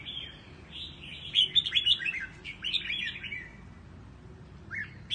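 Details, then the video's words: Red-whiskered bulbul singing a quick run of bright, warbled whistles and chirps, pitched high and irregular, over a steady low hiss; song used for voice training, in the Quảng Trị regional style. "Luyện giọng cho chào mào"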